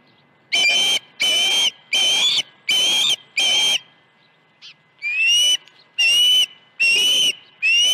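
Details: Nesting osprey at Dunrovin Ranch, 21 August 2019, the morning two fish were brought at 7:05 and 7:31 AM. Two runs of loud, shrill whistles, five then four, each note slightly upslurred, separated by a short quiet gap.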